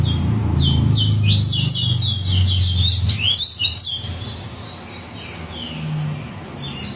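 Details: A yellow-bellied seedeater sings excitedly, delivering a quick series of sharp, high, evenly repeated chirps for about four seconds, then scattered faint notes, with a steady low hum underneath.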